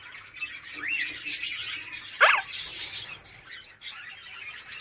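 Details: Captive African grey parrot in the owner's bird setup in Darbhanga, Bihar, gives one sharp, harsh squawk, with fainter brief whistles before and after it over a steady hissy background.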